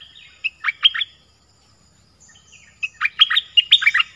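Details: Dok taeng bird singing in its original voice with many song phrases: two bursts of clipped, lively chirps and slurred notes separated by a brief quiet gap, with a faint low rumble behind.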